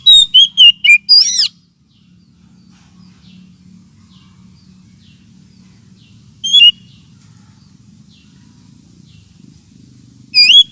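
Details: Oriental magpie-robin lure call, also used as therapy for birds lacking aggression: a burst of loud whistled, swooping notes, then a long quiet gap with low hum, a brief phrase midway and another burst at the end.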